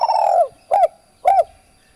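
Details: Spotted dove, its call used to lure and train birds: one long falling coo followed by two short arched coos spaced about half a second apart.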